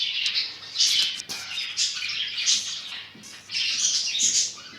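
Cockatiels give bright, scratchy chirps and whistles in quick overlapping bursts.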